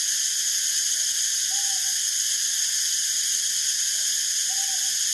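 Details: Northern Boobook (Ninox japonica totogo), filmed while foraging and preening, gives soft paired hoots, a short low note then a longer one, about every three seconds beneath a steady high insect hiss.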